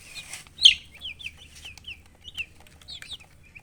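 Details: Several domestic chicks with colored down peep in thin, high chirps that drop in pitch, after one loud, sharp cheep near the start.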